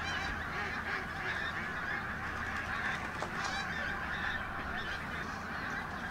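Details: Martin Mere, Lancashire, October 2012: pink-footed geese flying in and out of the reserve on a bright day, heard as an unbroken chorus of honks from many birds, one sharp click midway.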